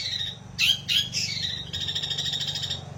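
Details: Long-tailed shrike singing in the style called isian gereja, with sparrow-style fill notes: harsh squawky bursts and chirps, then a rising buzzy strained note and a long scratchy warble over a steady low hum.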